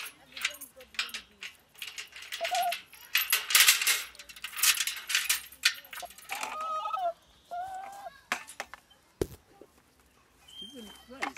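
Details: Shoebill (Balaeniceps rex) clattering its bill as a greeting or welcoming sound: dense, machine-gun-like bursts of hollow clatter for several seconds, followed by voices and a few other bird calls.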